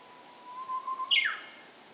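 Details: Japanese bush warbler singing on a morning walk: a long, steady whistled note that swells slightly, then a sharp, bright, higher flourish that sweeps quickly downward; quiet background.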